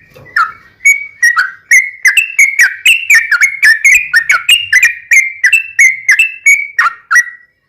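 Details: Yellow-vented bulbul's ropelan song with ngelituk and cucak rowo-style phrases, used to train and lure home bulbuls: dense run of clear whistled notes with sharp onsets, accelerating slightly, with a faint low thump near the start.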